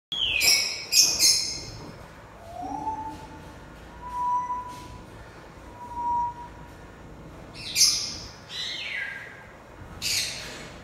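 Gouldian finch giving short, very high, hissing and buzzy bursts in clusters a few seconds apart, with a few faint, lower, level whistles between them.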